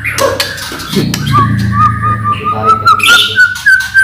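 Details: White-rumped shama singing to lure other shamas: a long steady whistled note held low, broken into quick repeated pulses, over earlier sharp clicks and a low hum.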